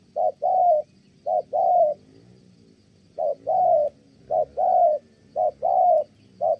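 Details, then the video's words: Male spotted dove in Kon Tum, Vietnam, cooing when a female interrupts: two short-long coo pairs, a pause of over a second, then three more pairs resume in steady rhythm. "Thổ Âm Tốt, đang gù ngon thì mái phá đám"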